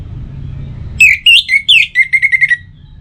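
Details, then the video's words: An orange-headed thrush (Geokichla citrina), a kept songbird in Singaraja, north Bali, sings a quick, varied phrase of high whistled notes ending in a rapid string of even chirps, over a low rumble of traffic. "Pancingan Suara ANIS MERAH Untuk Pagi dan Sore Hari Agar Burung Jadi Tambah Gacor"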